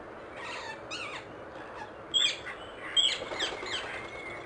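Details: Wild rose-ringed parakeet calling in its natural setting, sharp screechy descending notes in small groups, louder bursts near the middle and later, faint background hum.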